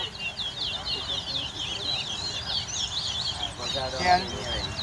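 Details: Towa towa birds in a singing race at Craig Bridge bird ground, Guyana, 2022, two birds competing: fast, rapid high warbled and twittering phrases run on continuously, with a low murmur of people talking underneath.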